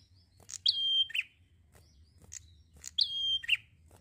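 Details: Prinia singing in a lively, relaxed way: a sharp chip, then a high whistled note held level, dropping into a short buzzy end. The phrase comes twice, about 2.4 seconds apart, over a faint low hum.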